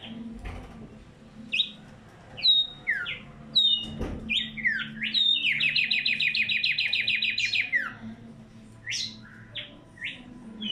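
A tumba yegua sings bright, varied whistled notes broken by a long, fast buzzy trill.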